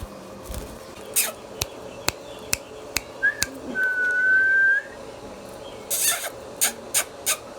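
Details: Pet Indian ringneck parakeet, a talking bird, gives one long, steady, clear whistle lasting about a second, preceded by a short rising note. Sharp clicks and taps are scattered throughout in a quiet room.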